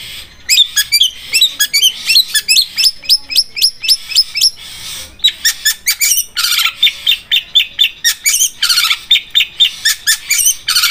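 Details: Long-tailed shrike song in a training recording, likened to a sharp sewing machine and called Armageddon style: fast rolling run of shrill, high chirps and trills, densely repeated, with short pauses between bursts.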